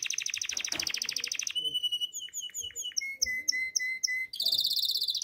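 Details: Canary in breeding condition singing to call the female: a rapid buzzy trill, then a steady high whistle, then separate chirping notes and a run of repeated pure whistles, ending in another fast rolling trill.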